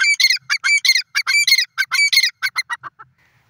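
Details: Grey francolin, the dakhni or Sindhi teetar, giving a loud, harsh, rapid series of ringing, squeaky notes, about twenty bursts in three seconds, quickening then fading into short lower notes at the end; no other sounds.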